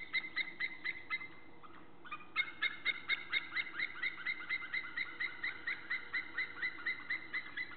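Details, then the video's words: Pair of white-tailed eagles calling together on 1 April 2014, one bird on its nest and its mate close by: rapid runs of harsh, high yelps, a brief pause, then a long even series of about two yelps per second. "1 Zeearend op nest, andere in de buurt roepen beide"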